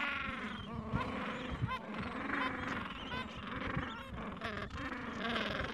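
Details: Chorus of gentoo penguins in a Falkland Islands breeding colony on a mild afternoon, adults tending nests and chicks aged two to three weeks; dense layered honking and braying calls throughout, with short sharp notes mixed in.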